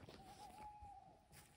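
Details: An owl gives a single steady, whistled hoot lasting almost a second over faint background noise on a clear night at a mountain-plateau camp near İzmit, apparently answering a person imitating it; a jackal is also heard calling nearby.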